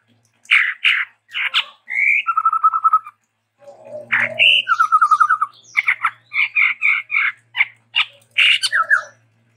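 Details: Lively chestnut-rumped babbler from Sumatra running through song variations: harsh chattering notes, level whistled trills, rapid pulsed phrases and sharp chips in quick succession, with a faint low hum throughout.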